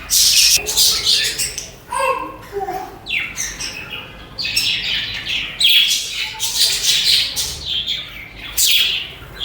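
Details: Chirping budgies sing and chatter in scratchy high bursts, mixed with a few lower warbled notes and occasional brief pauses.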